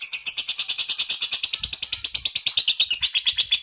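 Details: Lovebird in a long, unbroken chattering song: a rapid pulsed trill of high, harsh notes, about three pulses a second, each carrying dense buzzy chatter.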